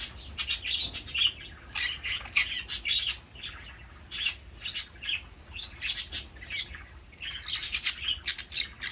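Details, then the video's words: A pet green-cheeked conure of unknown sex in Aichi, Japan, screams while playing, giving harsh, raspy, high-pitched screeches in quick bursts, several a second, broken by short pauses. "A conure screams while playing"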